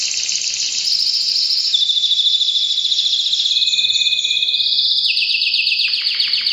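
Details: Canary in breeding season pouring out a continuous loud song of rolling trills, buzzy rattles and long high whistled tones, changing phrase every second or so.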